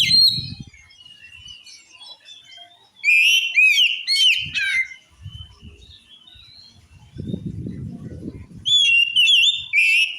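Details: Magpie-robin singing a song claimed to provoke rival birds into fury: bright rich whistles, rapid downslurred notes and scratchy chirps in bursts separated by softer warbling, with low knocking and rustling in the background.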